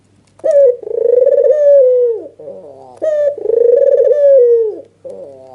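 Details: Red-eyed albino white dove giving an agitated nodding display call, used as a lure to provoke other doves into calling: a short sharp note, then a long rolling, purring coo that sags in pitch at the end, given twice.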